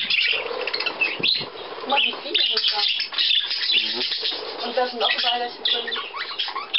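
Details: Budgerigars indoors at millet, recorded 17 May 2010 with visitors from Leer present; dense, continuous chattering and squawky warbling notes, with clicks and short harsh calls layered over each other, and possible human voices mixed in.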